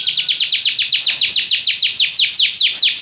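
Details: Singing Belgian canary giving a steady series of about fourteen clear, high, downward-slurred whistles, roughly five per second, loud and evenly spaced.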